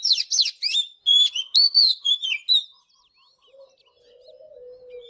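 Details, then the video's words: Morning singing by an Oriental magpie-robin: quick chirps and fluid whistled notes for under three seconds, followed by a soft, low, drawn-out tone. "เสียงนกกางเขนบ้านหรือนกบินหลาขี้ควายใต้ Chòe than HÓT SÁNG"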